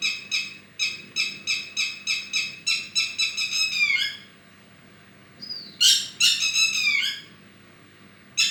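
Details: Bird singing a series of bright, high chirps repeated about three times a second, speeding into a tumbling run, then a pause before a rising whistle and another burst of sharp chirps.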